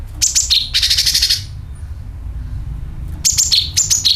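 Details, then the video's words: Sooty-headed bulbul lure call with dragging sound: a few fast falling chirps, then a harsh rasping burst of about half a second, a quiet pause, and more paired high chirps stepping downward, over steady low hum. "CUCAK KINOI ||PANCINGAN PALING AMPUH TERBUKTI PASTI IKU BUNYI SUARA PANGILAN + NYERET"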